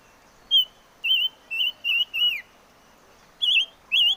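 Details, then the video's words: Chim ngũ sắc song: a burst of five quavering whistles, the last one dropping, then a short pause and two more trilled, wavy whistles. Faint background hiss. "Suab Noog Quaj || Chim ngũ sắc hót hay"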